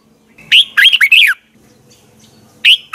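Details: Red-whiskered bulbul morning song from 2020 in the double twisted voice style, used to train other birds. Bright whistled and warbled notes come in a rapid run of about five, then a pause, then a new phrase begins over a faint low hum.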